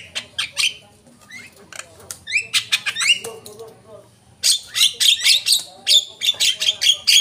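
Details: Javan myna lure call: harsh, scratchy squawks and chattering notes in uneven bursts, some with upward-sliding whistled tones, a brief quieter stretch midway, then a louder run of rapid rasping calls.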